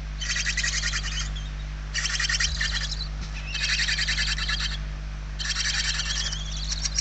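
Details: Hungry barn owl chicks in their nest, Spain, November 2023, one of them very weak: four raspy, rapidly pulsed hissing bursts about a second long, spaced by short quiet gaps, over steady mechanical hum.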